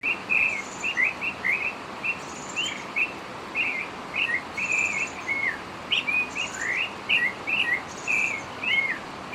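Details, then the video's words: Northern oriole singing: short whistled and slurred notes given in quick irregular series, with faint high buzzy notes from another bird and steady background hiss. "El Turpial Norteño"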